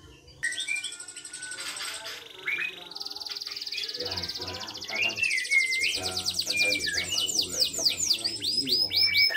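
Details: Local canary in lively song: a long high trill that steps up in pitch, then rapid repeated descending sweeps, over faint background noise.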